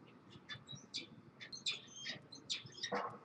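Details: Peregrine falcon pair at their nest on the Evanston Public Library, Illinois, at 5 pm on March 9, 2013, inspecting the nest and bowing to each other, trade quick, scratchy chips and squeaky notes, ending in a louder, harsher squawk.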